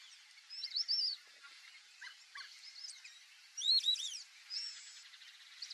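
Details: Black-bellied whistling ducks calling in the wild beside a lake, giving thin arched whistles, one louder phrase standing out among fainter scattered calls and rustle.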